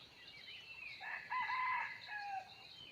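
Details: ['Red junglefowl crowing in the wild, 17 March 2020, with a hen used as a lure: one close, bright crow, broken in the middle and ending in a thin trailing note, over a high insect buzz.']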